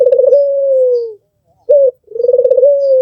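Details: A long coo from an albino, red-eyed Barbary dove, vibrating in fast pulses and then flowing into an even, falling tone, followed by a short upward note and another pulsing coo.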